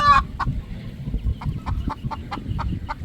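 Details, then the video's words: Roosters resting at sunset on a poultry farm, three birds present: a brief harsh squawk opens, followed by steady short clucks repeated roughly every quarter second over a low rumble. "roosters relaxing time/3 roosters relaxing 😌 in evening sunset"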